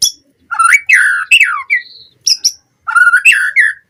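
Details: Captive white-rumped shama training lure: loud rich whistled phrases, high sharp notes and a soft sustained whistle, in short bursts with brief gaps.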